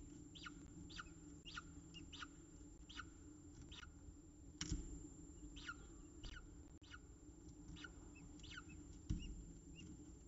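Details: Peregrine falcons at a nest in Orange, Australia, during a feeding: faint, thin chirps sweeping downward, repeated about every half second to second over a steady low hum.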